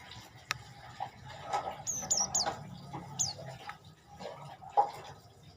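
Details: Olive-backed tailorbird singing: a series of short, very high, thin notes with a quick downward slur, four given within about a second and a half, over low background hum and scattered knocks.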